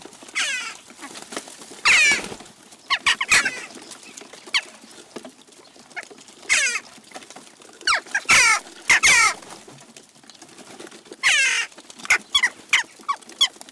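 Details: Western jackdaws flocking at a garden feeder in Recke, Germany, June 29, 2021, giving irregular bursts of harsh, chattering squawks and short sharp chacks, with quieter clicks and pattering between bursts.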